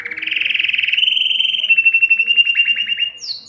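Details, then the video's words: Male canary singing to draw females for mating: a rolling trill sliding into a steady ringing whistle, then a rhythmic rattle of quick notes, ending in a brief high swoop. "Canário cantando para atrair fêmeas para a reprodução"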